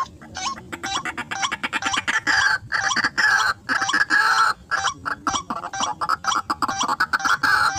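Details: White-breasted waterhen lured in a rice field: dense, harsh, nasal calls pulsing rapidly and irregularly for several seconds, broken by brief gaps, with bright overtones and a steady low background hum.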